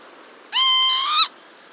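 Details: Northern lapwing pair giving an alarm call to their young: a single drawn-out, nasal, richly harmonic note lasting under a second, nearly level and then rising slightly at the end before cutting off, over a quiet background.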